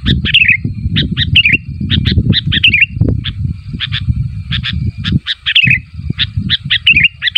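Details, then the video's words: Sooty-headed bulbul calling to prompt replies from other bulbuls: lively clusters of chirps and repeated falling, wavy warbles over persistent low-frequency noise. "SUARA BURUNG KUTILANG MEMANGGIL, KUTILANG LAIN MANA TAHAN GAK NYAUT"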